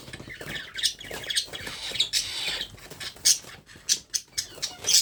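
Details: Baby parrot being hand-fed, with a stretch of harsh continuous squawking followed by sharp, separate high squeaks.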